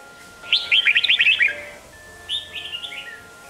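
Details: Red-whiskered bulbul singing in the Sông Kôn style, used to train young birds' voices for competition singing: a quick, warbled burst of bright rising and falling notes, then a shorter softer phrase, over a steady faint hum.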